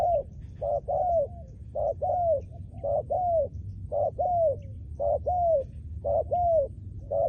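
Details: Spotted dove, a trained decoy bird, cooing steadily: paired low mellow notes, a short coo then a longer drawn-out falling one, repeated roughly once a second in an even rhythm.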